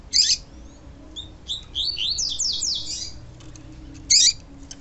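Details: Double-collared seedeater singing in the pure tui-tui style, with a female's calls meant to excite the male: a sharp high burst, then a quick run of slurred, descending whistled notes, and another sharp burst near the end.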